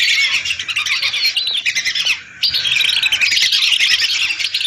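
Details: Massed calls of hundreds of lesser whistling ducks, recorded as a lure: thick, high whistling chatter that briefly thins near the middle, then returns at full strength.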